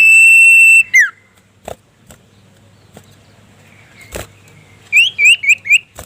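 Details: Common iora of the sirtu type calling a rival: a long level whistle with a falling slurred end, then after a pause four short rising whistled notes in quick succession, with scattered clicks and knocks.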